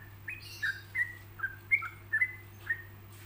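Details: Yellow-vented bulbul song recorded as a learning model for other bulbuls: faint, clear whistled notes, some falling and some level, spaced unevenly about every half second, against a hissy background and low hum.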